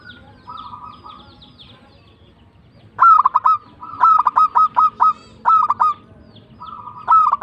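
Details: Local zebra dove (perkutut) in tumbak cucukan song: a soft rolling phrase, a pause, then repeated bursts of loud clipped coos interleaved with quieter purring trills.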